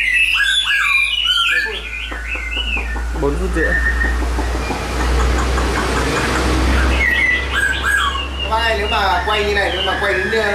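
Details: Chinese hwamei in a cage sings bursts of bright rising and falling whistles at the start and end, while a man talks through the middle section over a low background hum.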